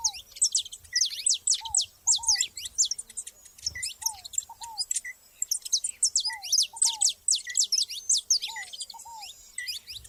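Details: ['Several saffron finches in the wild give rapid bursts of bright, sharp chirps in overlapping runs, broken by short pauses; a lower slurred whistle recurs in pairs between bursts.']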